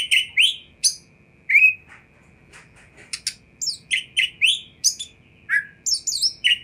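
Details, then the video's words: Oriental magpie-robin song played to get a response from other magpie-robins: clear whistled notes and scratchy chirps in irregular bursts, a quieter gap mid-way, then a rapid run of sharp notes, with faint background hum. "100 % Kacer Anda Pasti Respon Tanpa Nanti-Nanti !!!"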